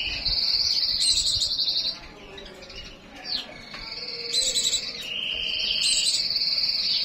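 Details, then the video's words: White-eye in breeding condition delivering sustained high, rattling trills in long phrases, one short pause and a quick upswept note, then the trilling resumes and runs on. "pleci birahi"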